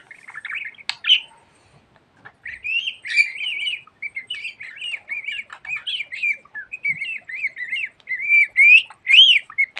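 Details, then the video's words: Budgerigar kept as a pet, chattering at length: after a few sharp notes, a long string of quick, looping whistled warbles rising and falling, growing louder toward the end. "Muhabbet Kuşu Çimen Çok Konuşuyor.~Budgie Grass Talks a Lot"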